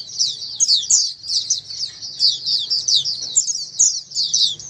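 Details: Many Oriental white-eyes chorus at once, a recording meant to make a quiet white-eye reply and sing more often: bright, high-pitched chirps and slurred twitters packed tightly in overlapping bursts, with a soft low rumble underneath.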